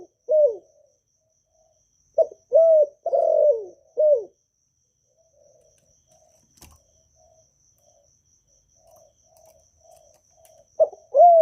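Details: Vietnamese spotted dove singing its calling, urging and cooing phrases to stimulate freshly kept birds: a falling coo, a three-part phrase, then a long lull with faint low murmurs before a new phrase starts at the end.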